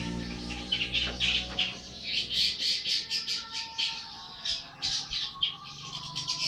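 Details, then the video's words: Young long-tailed shrike, 80 days old, singing energetically: a fast stream of harsh, scratchy chattering notes and squawks, about four bursts per second, with faint low background hum. "burung cendet baru umur 80hari gacor banget"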